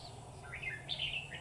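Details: Red-whiskered bulbul during trapping in Vietnam: one short, clear phrase of rising and falling whistled notes, fairly high and sweet, against a faint low hum.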